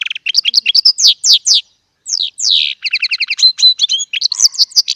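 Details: Chardonneret song by a small Baster European goldfinch: liquid sliding notes, two long falling slurs around a short pause, then quick repeated doubled chirps and thin whistles.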